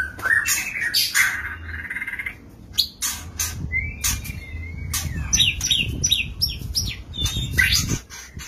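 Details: Male white-rumped shama courting a female in a small stacked breeding cage; varied whistled phrases with rising and falling slurs, sharp clicks and rattles, over low rumbling background hum.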